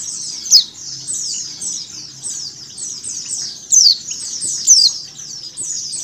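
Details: A female mountain white-eye's calls mixed with a flock's to get birds to open their beaks: three high, thin, descending chips, the last two close together, riding on a steady sheet of high twittering.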